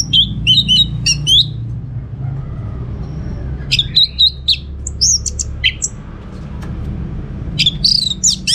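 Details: Orange-headed thrush, a kept bird from Singaraja, North Bali, sings for use as a lure and master song: bursts of bright, varied whistled notes in quick clusters, pausing briefly, then resuming over a steady low hum.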